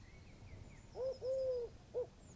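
A dove gives a soft, hollow three-note coo, short, long, short, with the middle note drawn out; faint high chirps of other birds behind.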